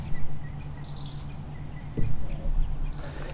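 A European robin gives three brief, high, thin calls spaced about a second apart, over a steady low rumble.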